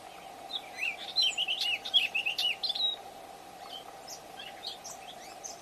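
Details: A Gray Catbird, tentatively identified by ear, gives a jumbled run of quick, varied squeaky and mewing notes for about two seconds on 5 July 2025. A steady low hum runs underneath, with fainter chips later.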